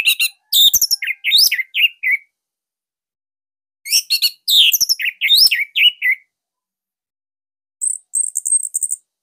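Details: Caged orange-headed thrush (Bali), loud master song for training other songbirds: two phrases of descending whistled notes and chatter, then a short high buzzy trill after a pause.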